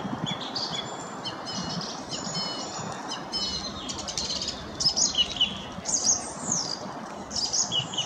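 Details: Song thrush in full song, delivering a busy stream of high twittering and whistled phrases, becoming louder and more clearly phrased toward the end, over faint background noise.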